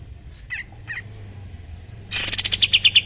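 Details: A sooty-headed bulbul singing 'tembak' style, meant as a master recording for songbirds: two faint soft notes, then a sudden loud, rapid series of repeated chipping notes.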